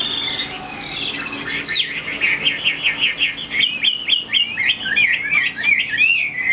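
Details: Chinese hwamei, a prized cage songbird of northwest Vietnam, singing a descending opening phrase and then a rapid series of sharp, repeated zigzag whistles.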